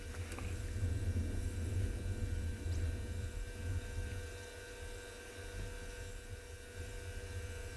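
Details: Low engine hum and rumble during an afternoon safari in South Africa, fading midway, with a faint steady electrical tone and no animal voices.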